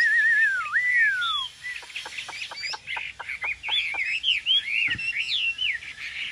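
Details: Caged Chinese hwamei opens with a long wavering whistle that sweeps down, then strings together varied whistled notes, with a series of sharp clicks or taps in the background.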